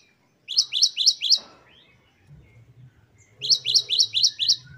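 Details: Great tit in 'wucit-wucit' training song: two bursts of four to six quick, ringing high notes, with a gap between them filled by soft rustling and low background noise.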